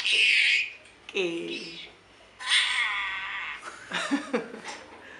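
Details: Talking parrot mimicking speech: a harsh, high, drawn-out first phrase, then tonal, voice-like syllables with clear harmonics, a quiet gap, and a final burst of quick clipped sounds.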